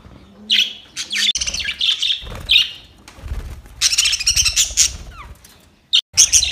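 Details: Budgerigars talking to each other, a lively stream of harsh, buzzy chirps and rapid warbled chatter in uneven bursts, with short pauses and a brief soft squawk near the end.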